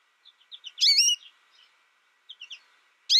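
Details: American goldfinch kept apart from other birds during its first year, learning from a tutor recording: a few soft chips lead into one long warbling, wavering note, then quiet twitters and a sudden sharp final note.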